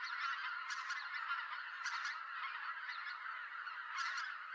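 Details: Greater White-fronted Geese, many birds calling noisily as they fly in to roost in November in Japan, while harriers also head to roost: a dense, continuous chorus of overlapping honking calls with repeated sharper peaks, no gaps.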